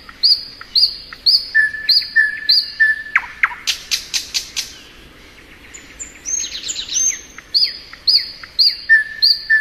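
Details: Thrush nightingale singing in spring: a varied phrase of quick repeated high whistled notes and flat lower whistles, broken by a loud dry rattling burst of clicks, then sliding whistles and more rapid repeated notes.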